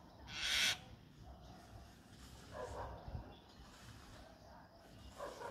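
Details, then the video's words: A myna gives one loud, harsh screech, then softer croaking notes about two seconds apart, over a low background hum. "Myna Birds"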